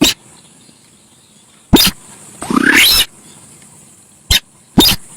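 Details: Sparse sharp clicks surround a single long, raspy screech that sweeps upward. The Javan pied starling sound is used as a lure, over a steady high hiss.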